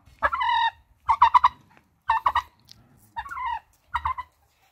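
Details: Turkey calling in five separate bursts, some drawn out and nasal, others broken into quick rattling gobble notes, each about a second apart.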